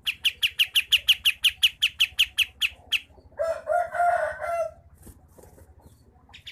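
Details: Sooty-headed bulbul in Pangkalan Jambu, Merangin, Jambi, Sumatra, giving a close-set rolling trill of about fifteen sharp high notes over three seconds, followed by a short lower bubbling warble.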